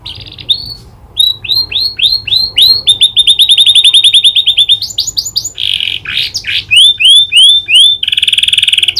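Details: Canary song trained on prinia clicking calls: long series of rapid upward-sweeping whistled notes, a fast rattling trill, then a descending chirp series ending in a steady buzzy trill.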